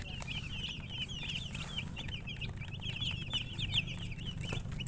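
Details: Several young chicks peep continuously, their quick, high, slightly downslurred notes crowding together against a constant low-pitched drone.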